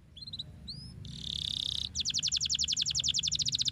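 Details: High canary chirps for spurring lazy canaries to sing: a few thin upswept notes, then a sustained buzzy rattle, followed by a rapid, regular series of bright clipped chirps at a steady pace.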